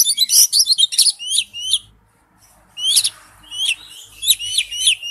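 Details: Oriental magpie-robin song as a lure: a dense scratchy burst followed by repeated high whistled notes with upward hooks, a short silence, then more repeated hooked whistles.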